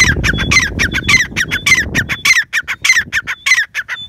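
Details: Black francolin calling in loud, scratchy, broken notes mixed with short whistled tones, repeated quickly and unevenly for four seconds; low rumbling noise underneath during the first half.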